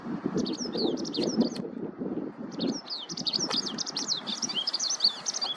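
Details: Eurasian skylark in a ploughed field, singing as it searches for food: bursts of high trilling and sharp upward-sweeping notes, a brief pause near the middle, then denser warbling, over a low background rumble.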